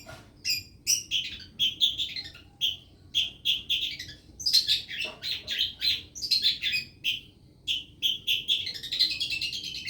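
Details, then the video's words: Long-tailed shrike singing with mimicked lovebird phrases: a rapid series of sharp, high chirps and short buzzy notes in quick bursts, pulses coming about every half second with brief gaps between runs. "pentet isian lovebird"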